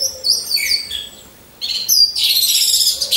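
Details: Caged orange-headed thrush hung in a line of birds, lure recording; high descending whistled phrases, a short silence, then a dense rasping, buzzy trill held for over a second.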